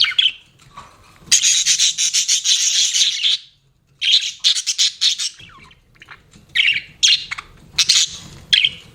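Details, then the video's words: Pet budgerigars giving long buzzy, pulsing chatter followed by a pause, then scattered squawky chirps and sharp high notes. "BUDGIES CHIRPING SOUND"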